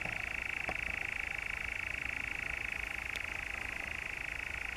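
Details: Continuous rattling churr of a European nightjar, recorded in the Brecks, Norfolk, July 2017, holding one even pitch throughout with only faint background ticks.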